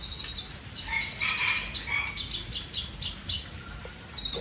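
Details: Seven-year-old white-rumped shama, known as murai Aceh, from Tangse, giving a soft passage of clear whistled notes and short trills over a steady background hiss.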